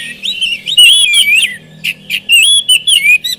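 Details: Oriental magpie-robin, caged, in a lure recording for a bird reluctant to sing; varied whistled phrases with looping slurs, then short bright chips repeated in a broken series over a low hum.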